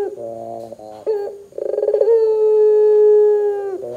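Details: Barbary dove in full call, used to trigger calling in other doves: a few broken throaty notes, a quick rattling pulse, then a long flat droning tone held for about one and a half seconds.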